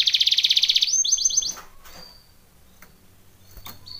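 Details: Canary song meant for training: a fast, even trill of about twenty notes in under a second, then a slower series of descending sweeps, trailing off into quiet.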